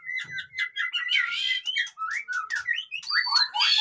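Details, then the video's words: Noisy white-rumped shama (murai batu) song for rousing lazy birds: repeated short whistled notes, then a string of upslurred whistles and quick chattering phrases without pause. "suara burung murai batu ribut cocok untuk dongkrak emosi burung yang malas bunyi"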